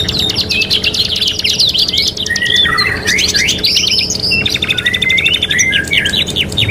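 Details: Canary song from a combined three-in-one tutor recording for training birds: rapid rattling trills alternating with swooping whistled notes, unbroken lively warbling, and soft low background rumble.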